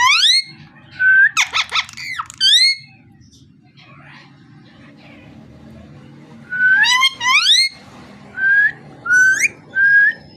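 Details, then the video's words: Parrot voice with a burst of harsh chattering, then a long silent gap, followed by a run of rising whistles and arched calls, ending in several short flat whistled notes. "Amazing parrot so cute talking and voice"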